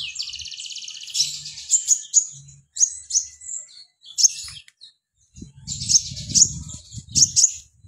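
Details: Mountain white-eye in full song, delivering bursts of shrill, rapid twittering separated by short pauses, with bright sharp notes inside each burst; low rustling and knocking noises accompany the final phrases.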